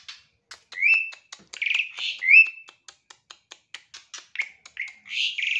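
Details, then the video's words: Lively morning bird chatter: busy rising whistles interleaved with a rapid scatter of dry ticks and clicks, building to a denser, slightly buzzy warble at the end. "kicauan burung dipagi hari"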